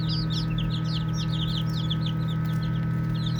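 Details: Baby chicks playing, a group giving rapid, high, thin peeps that slide downward, several overlapping every second, over a steady low mechanical hum.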